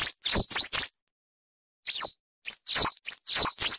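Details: Coal tit song used as a training recording for cage birds: bursts of very high, sharp two-note phrases, each a whistled note dropping to a lower one, repeated quickly, with short silent breaks between bursts.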